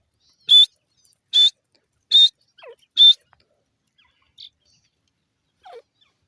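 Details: Grey francolin (teetar) calling. Four loud, sharp, high whistled notes come about one second apart, with faint falling squeaks between them. A softer note follows after a pause.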